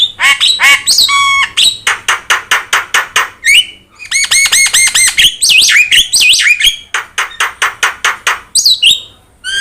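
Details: Javan myna, yellow-eyed, singing as a master model for other songbirds; rhythmic sequence of sharp repeated chip notes, a run of looping bubbly whistles, then more evenly spaced chips.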